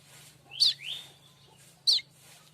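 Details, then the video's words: Streaked weaver used as a tutor for oriental magpie-robins and white-rumped shamas: two sharp, slurred high whistles about a second apart, one drawn into a rising whine. "Manyar kembang dor untuk masteran burung kacer &murai batu anda"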